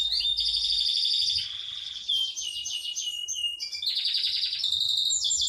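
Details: Yorkshire canary delivering a long roll: continuous high trilled tours that shift pitch step by step, a brief dip near the two-second mark, then more rapid buzzy rolling phrases, with a clean background.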